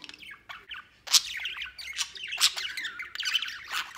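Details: Pet budgerigars, including a white male, playing outside their cage: continuous scratchy warbling chatter with sharp squawks at about 1.1, 2.4 and 3.8 seconds and quick chirped notes throughout.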